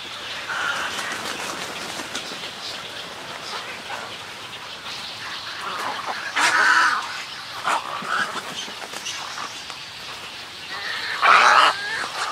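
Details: Snowy egret colony with colony and greeting calls: low murmuring croaks from many birds, broken by a few loud, harsh squawking bursts near the middle and end.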